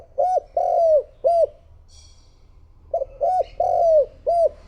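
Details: Spotted dove used as a decoy to lure wild doves: low, hollow coos in two bursts, first three notes with a long falling middle coo, then after a pause four more, the third drawn out and sliding down.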